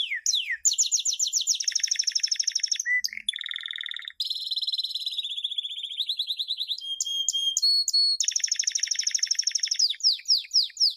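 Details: Canary champion song of 2016 for teaching chicks, a long varied run of tours: fast buzzing rolls, high rattling trills, liquid lower bubbling, sharp repeated chips and descending swept notes, each section changing every second or two.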